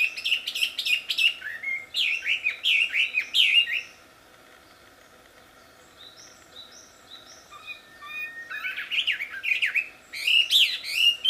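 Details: Wambi singing loudly in the wild: bursts of rapid whistled and chirping notes, a near-silent gap with faint distant whistles, then another loud burst of melodious slurred notes.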